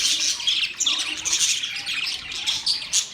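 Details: Budgerigars chirping busily, thin piercing whistles and rapid scratchy chatter blended into one continuous flock sound.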